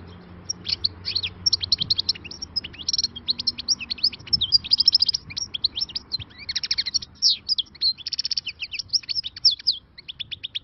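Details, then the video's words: European goldfinch, a wild bird newly caught, singing khalawi song: dense, continuous high twittering with fast buzzy rattles and sharp chips, barely pausing for ten seconds; low steady hum in the background. "غناء خلوي صيد جديد _ غناء حسون بري"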